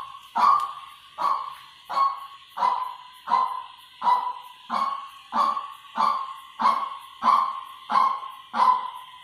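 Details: Long run of fourteen harsh, clipped notes from a white-breasted waterhen used as a lure, evenly paced about every two-thirds of a second, each beginning with a sharp attack and falling away quickly; faint steady hiss underneath.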